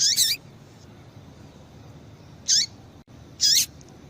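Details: Female double-collared seedeater giving calls that prompt males to sing: three loud high chirps with hooked, dropping squeaks, the first double-pulsed, coming in an uneven rhythm over soft background hiss.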